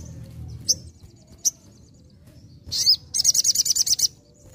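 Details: Sogon singing vigorously in nembak ngalas manner: a few isolated sharp high chirps, then a rising call followed by a rapid buzzy trill of about ten high notes.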